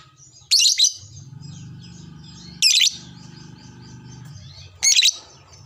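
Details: Lovebird, a fighter type, calling back to another lovebird: three loud, grating shrieks spaced about two seconds apart, with soft high chatter between them and a steady low hum underneath.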